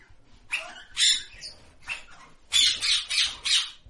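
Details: A parrot screeching in coarse, grating bursts, a few spaced calls followed by four loud squawks in quick succession.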